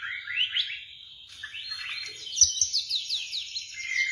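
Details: Shama song meant to coax a quiet bird into singing: high, quick upward-slurred whistles repeated in a rapid series, followed by a bright steady whistled note.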